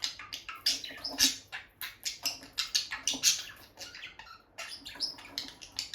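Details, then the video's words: Bonded peach-faced lovebird pair indoors beside a nest box, the female going in and out: loud, piercing chirps repeated rapidly, roughly every fifth of a second, in uneven runs with brief pauses. "Parrot Chirping Sounds – Relaxing Lovebird Couple Vocalizations"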